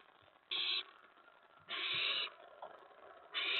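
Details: Owl at the nest during a mouse delivery, early morning of May 15, 2017 at 4:46 AM: three loud, rasping hiss-screeches, the middle one longest, against quiet nest background.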